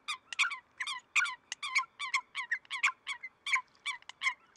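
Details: Eurasian coots in Greece during February 2023 give a dense, overlapping chatter of sharp, metallic notes in rapid succession, several birds calling against one another without pause.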